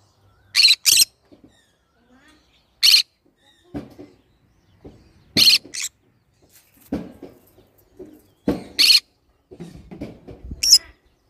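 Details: Green-cheeked conure making harsh high screeches, single and in quick pairs, scattered over eleven seconds, mixed with soft clicking, rustling and low murmuring noises between calls.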